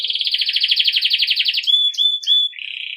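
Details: Belgian canary, campainha song meant to train young birds: a pulsing buzzy trill for one and a half seconds, then three level piercing whistles and a softer low trill.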